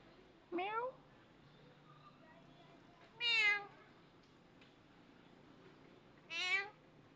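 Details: Clever talking parrot calling the cat with meow-like cries: three separate nasal, harmonic calls spaced about three seconds apart, each sliding downward in pitch, with a faint background hum.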